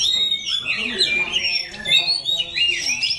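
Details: White-rumped shama from Daklak, Vietnam, recorded in September 2015, giving a rapid warbling stream of high, rising and falling whistled notes, with faint lower murmurs underneath.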